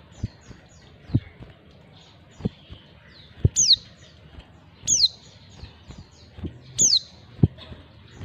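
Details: Calling female white-eye, a call meant to draw in males: sharp, high, downward-sweeping chirps repeated three times in the second half, over scattered knocks and soft tapping sounds.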